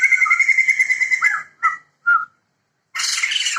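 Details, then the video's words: Loud cackling duet from a male and female pair of Sumatran white-crested laughingthrushes, endemic and protected on Sumatra: a rapid pulsing laughing chatter fades out, two short whistled notes follow, then the harsh chorus bursts in again. "Poksay Jambul Sumatera Gacor Jantan dan Betina (Sepasang)"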